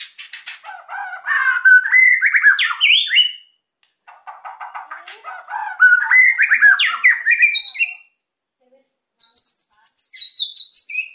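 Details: White-rumped shama delivering song to provoke quiet birds, rapid stuttering notes building into ascending, zigzagging whistled phrases, repeated in three bursts separated by pauses.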